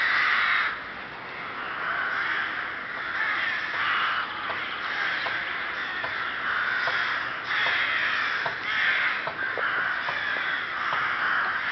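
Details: Recorded 30 May 2011 at Ptačí ostrovy nature monument, Chrudim, Czech Republic: rooks keep up a steady chorus of raspy, overlapping cawing, with a few short sharp clicks scattered through the noise.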